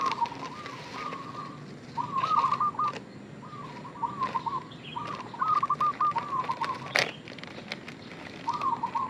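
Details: Zebra dove lure call used to draw in other doves: a series of cooing phrases, each broken into fast rolling beats. Scattered clicks, a sharp snap and soft background bird chirps are also heard.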